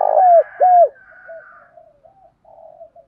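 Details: Decoy spotted dove calling to lure wild doves: two loud, arched coo notes in quick succession, then a trail of soft, low murmuring coos fading out.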